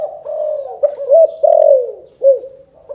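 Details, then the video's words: A spotted dove from Can Tho, Vietnam, delivers a calling coo in the 'chụp chụp ô' manner: a run of throaty, wavering coos with a long, drawn-out note that slides downward. "Chụp chụp ô gáy gọi Thái Vân hoa : Cu gáy Cần Thơ"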